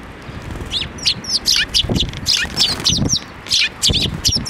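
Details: At a Tenmangu shrine, sparrows come to a hand for food, 7 May 2024: steady stream of bright, high chirps and twitters, several per second, overlapping callers with occasional low bumps beneath.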